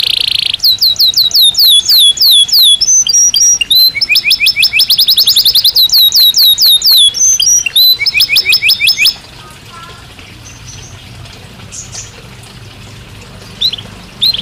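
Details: Belgian canary song: a high buzzy tone opens into rapid trills of falling whistles and a fast rattling passage, ending abruptly around nine seconds and followed by near quiet with a few faint notes.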